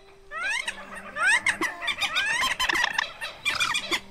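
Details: White-breasted waterhen lure recording used for night net-trapping of migrating birds in August 2024: a dense run of harsh, rising, slurred notes, overlapping and chattering, over a steady low electronic hum.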